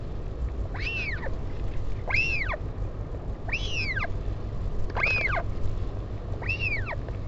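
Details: Parent northern royal albatross visiting its chick, colony at Taiaroa Head near Dunedin, New Zealand, 16 July 2019. A steady series of five arched, plaintive calls, about one every one and a half seconds, with wind rumbling underneath.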